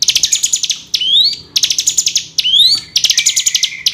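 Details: A Hill prinia gives fast, dry, high-pitched chattering trills, each burst ending in a rising sweep, repeated about every second and a half. This is a lure call meant to make lazy captive birds sing more.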